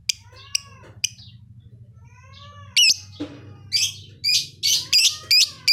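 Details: Very actively singing lovebird in Leuwimunding: soft high chirps and curved whistled notes at first, then a rush of loud, harsh, buzzy squeaks repeated in quick succession over a faint low hum.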